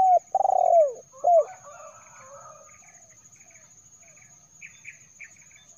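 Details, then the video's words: Spotted dove call used as a lure for wild birds: a few low, hollow cooing notes, each sliding downward, clustered in the first second and a half, then faint scattered sounds beneath a steady thin high electronic whine. "SUARA BURUNG DERKUKUR TERBARU 2022 TERKUKUR PIKAT SI BERO"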